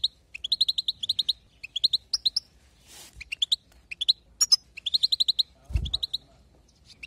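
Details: European goldfinch song meant to excite other goldfinches: bursts of bright, rapid twittering notes in quick clusters, with short pauses between phrases and a brief thud partway through.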